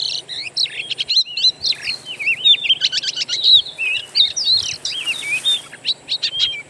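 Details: Oriental magpie-robin (kacer) song from wild birds, used as a lure to prompt kept birds to sing: a rapid run of varied high whistles, slurred upswings and clicky notes, with short pauses between bursts.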